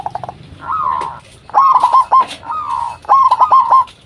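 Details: Zebra dove, the local type, singing a lure to set other zebra doves answering. A quick run of clipped notes leads into soft falling coos. Loud rolling phrases of rapid, bubbling broken notes follow.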